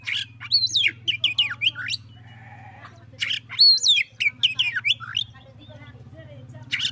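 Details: Oriental magpie-robin singing back at a rival: fast, energetic runs of high whistles, swoops and harsh chattering notes, a short pause with softer tones, then another loud burst, all over a persistent low mechanical hum.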